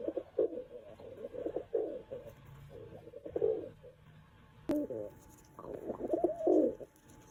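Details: Low, throaty coos from a pet house pigeon drawn to a person's feet, given in a series of rolling bursts separated by brief gaps, with a sharp tap partway through.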